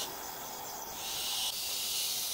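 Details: A barn owl in Israel, from a project using nest-box owls for rodent control in farm fields, gives a harsh, breathy hiss held steadily for over two seconds, growing louder partway through, with no other sounds.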